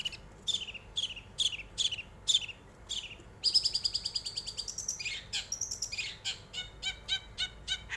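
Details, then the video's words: Long-tailed shrike song meant to provoke other birds into song: spaced sharp descending notes, then a long buzzy high rattle, ending in rapid chattering notes. "pancingan burung cendet"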